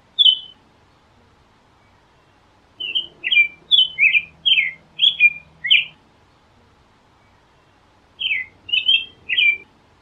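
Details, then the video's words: A single whistled note, then a burst of seven rapid caroling phrases from an American robin, a pause, and three more, the phrases short and warbled with downward slurs; faint low hum. "Canto do Tordo Americano | American Robin Singing"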